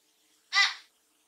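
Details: Pet common hill myna kept indoors, using its fairly quiet natural voice rather than mimicry: one harsh, rasping call about 0.4 seconds long, sharp at the start and fading out, in a small quiet room with its owner talking.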